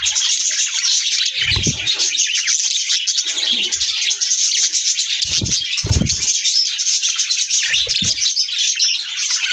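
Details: A flock of budgerigars on 6 January 2024 keeps up a constant high, scratchy warbling chatter with a few low thumps.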